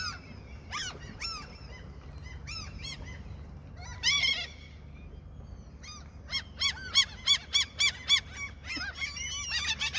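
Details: Many seagulls around someone feeding them on a fishing trip keep up choppy, arching squeals, sparse at first, then a fast regular run of loud cries near the end, with low-pitched hum below.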